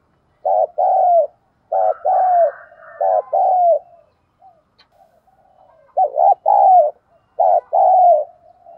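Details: Spotted dove decoy bird in Vietnam, urged to coo and call through its full phrase, giving low, mellow coos in groups of three to four notes, four phrases spaced about one and a half seconds apart, with a soft burry note between.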